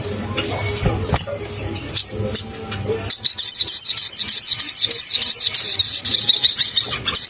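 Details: Crimson sunbird singing vigorously as a lure for caged sunbirds: a few separate high looping notes, then a sustained rapid trill of wavy shrill notes, roughly three per second, above low hum.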